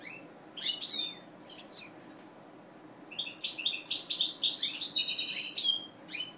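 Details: A captive-bred colour-mutation European goldfinch gives bright, tinkling twitters: a few short calls, then a rapid, liquid jumble of high trills and buzzy notes.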